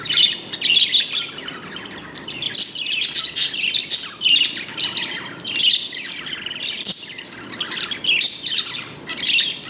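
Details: A pet bird chirping contentedly, described as happy: continuous busy high chattering with squeaky notes and rapid twitters in rolling waves.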